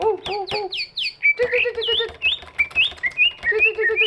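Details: Large greater green leafbird whose singing is used to stir quiet birds: several high downslurred squeaks over lower buzzy notes, then a varied string of rising whistles and chattering notes with a low rattle underneath.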